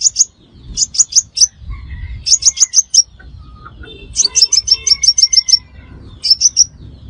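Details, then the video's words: Bright, high metallic chips repeated in bursts of four to eight from a crimson sunbird, a call used to lure birds into traps, with a faint lower tone in between. "Tiếng Hút Mật Xác Pháo Mồi Chuẩn Nhất 2025 - Bẫy Là Dính - The Sound Of Birds Sucking Nectar"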